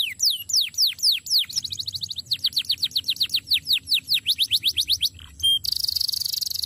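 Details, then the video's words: Canary singing a training song: a run of bright, down-slurred whistles gives way to quick repeated notes, about four a second, ending in a high, buzzy rattle. "NYANYIAN BURUNG KENARI YANG LUAR BIASA"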